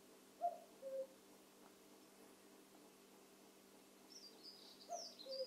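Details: Evening cuckoo giving two falling two-note calls about four seconds apart. High, thin chirps from another bird come in near the end over a low steady hum.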